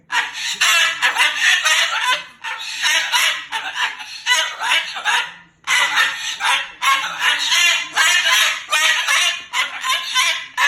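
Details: Pet Moluccan cockatoo talking and cursing angrily: long runs of rough, screechy, word-like syllables, broken by one clear pause midway.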